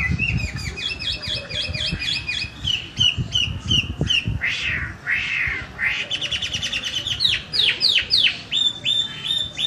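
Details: Chinese hwamei singing after bathing, a competition-quality chatty song: fast series of repeated slurred whistled notes, shifting to rich warbled and downslurred phrases, with low rumbling background noise throughout.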